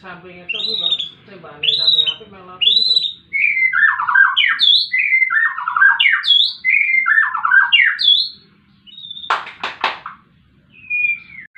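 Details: White-rumped shama in fighting mode, harsh harmonic calls repeated, then rhythmic phrases of jumbled buzzy notes and several sharp clicks, ending with thin whistles.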